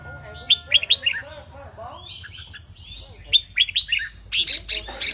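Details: Red-whiskered bulbul from Vietnam at a singing contest, delivering repeated bursts of short, sharp whistled notes in groups of three to five, separated by softer warbled phrases, with a steady high hiss in the background.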